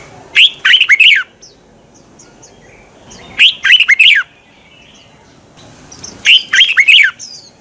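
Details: Red-whiskered bulbul singing its morning song in the twisting-voice style, meant to provoke and train other bulbuls to sing against it; three rich, rolling, chirpy phrases, each about a second long, repeated roughly every three seconds.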